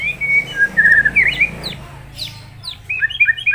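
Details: White-rumped shama singing rich, varied phrases as a training song for other birds: clear sustained whistles, then quick rising and falling notes and short repeated chirps, with a faint low hum beneath.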